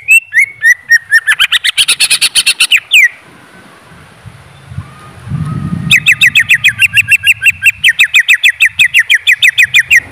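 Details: Greater green leafbird delivering long rapid series of sharp chattering notes, several per second, separated by a pause with soft low background rumble and a faint whistle.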